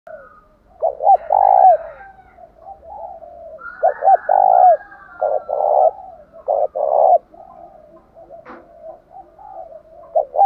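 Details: Spotted dove used as a decoy, giving a fighting coo meant to make caged wild-caught doves call back: two short rising notes then a long, mellow, falling coo, repeated about every three seconds, with fainter cooing underneath.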